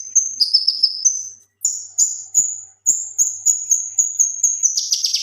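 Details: Male leafbird singing for training other birds: high, thin whistled phrases, each starting with a sharp attack and fading, repeated in a steady series with short pauses, ending in a buzzier burst.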